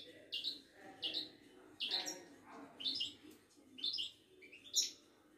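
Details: Moroccan Widani goldfinch kept in a cage, giving short high chirping notes about once a second, over a noisy, murmuring background.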